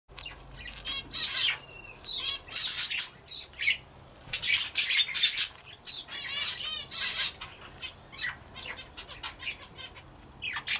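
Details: Turquoise parrot pair: the male feeds the female as soon as she briefly leaves her eggs. Bursts of high, scratchy twittering and chattering come in uneven clusters, with wing flutters and a low background hum.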